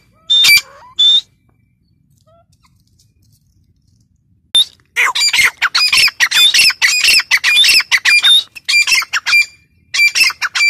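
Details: Female grey francolin calling: two sharp, loud notes, a silent gap, then a long series of harsh, rapid, repeated notes, strongly accented and continuing to the end.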